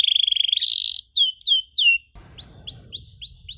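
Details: Singing canary whose long rolling trill is meant to teach young canaries: a rapid trill, a few sweeping downward whistles, then a series of short upward-curving chirps over a faint rumble.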